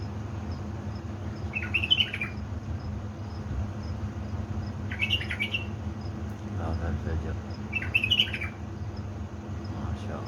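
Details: Kept bulbuls from Baladrooz, Diyala, singing at 3 am before dawn on 19 August 2020: short bright warbled phrases, each with quick rising and falling notes, come about every three seconds over a steady low hum.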